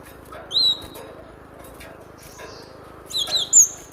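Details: Cinereous tit, used as a song-training lure: two clusters of thin, sharp, very high whistled notes, one near the start and one near the end, separated by quiet, over a steady low hum.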